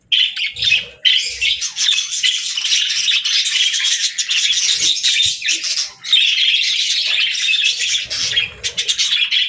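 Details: Continuous budgerigar warble of dense, buzzy chirping and rasping squeaks, barely pausing, with a few soft low knocks in the background.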